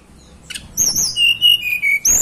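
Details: Hill blue flycatcher of local Banten and West Javan mountain stock delivering loud, clear, high whistles: a thin upper note followed by sustained, slightly descending pure tones, then a sharp rising note at the end.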